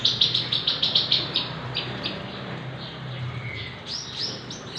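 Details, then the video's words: Six-month-old Javan bush lark in eager song, suited to tutoring or prompting other birds: a fast, evenly spaced burst of sharp high chips, a quieter middle stretch, then a few rising slurred notes. "burung branjangan javanica usia 6 bulan gacor cocok untuk masteran atau pancingan"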